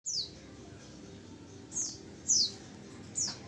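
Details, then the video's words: Female oriental white-eye lure call: four thin, high descending whistles, each sharply falling, spaced irregularly about a second apart over a quiet background. "pancingan pleci betina"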